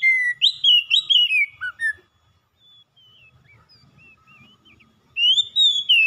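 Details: Loud, varied whistling from an oriental magpie-robin, with rapid slurred notes sweeping up and down, a pause filled with faint soft chirps, and a renewed ringing phrase at the end.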